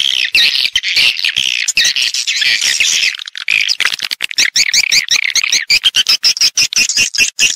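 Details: Attraction sound for swiftlets in nest-house farming: rapid, rasping twitters, then a run of clipped, pulsing chirps with little wavering whistled notes near the end.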